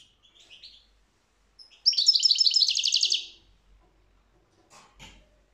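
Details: European goldfinch song with a few soft high twitters, then one loud burst of fast, buzzy, repeated notes lasting just over a second, followed by faint clicks and tapping.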